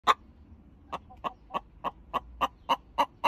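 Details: Olive Egger hen clucking the egg song after laying, a sign a fresh egg is ready: sharp clucks spaced about a third of a second apart, growing slightly louder, low background hum.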